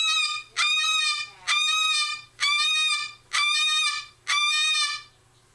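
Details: Pet cockatoo screaming, a habit that can go on for hours: five loud, harsh, rasping screams, each under a second long, repeated about once a second in a steady series. Nearly silent between cries.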